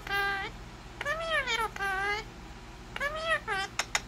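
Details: Indian ringneck parakeet kept as a pet, mimicking speech with a series of nasal, harmonic syllables that arch up and down, separated by short pauses, with a few clicks near the end.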